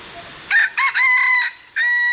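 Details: Chicken filmed with a Sony a7iv: loud, clear crowing in pieces. Two short harsh notes lead into a long sustained tone, then a brief gap and another held note, with a quiet background.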